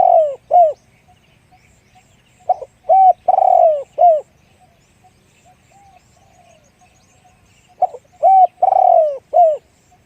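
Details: Spotted dove singing a deep-voiced 'one-kook' style coo. Loud, low cooing phrases come in three clear bursts separated by quiet gaps. Each burst holds short coos and a longer sustained coo, with faint background hum.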